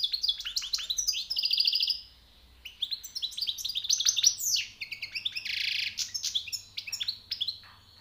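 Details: Newly caught European goldfinch singing a fast, varied medley of bright twittered notes, tinkling trills and a harsh buzzy rattle, broken by one brief pause.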